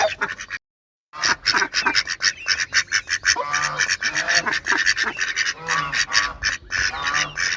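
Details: Loud, continuous quacking from several ducks, with brisk, raspy calls tumbling over each other after a short silent gap near the start.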